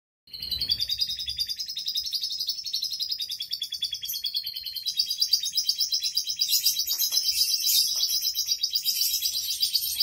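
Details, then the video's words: Canary singing in the 'gacor dor' style: a long run of fast, even trills held high, the pace quickening and growing louder and denser toward the end, about four notes a second, with faint low rumble at the start. "SUARA BURUNG KENARI GACOR DORR"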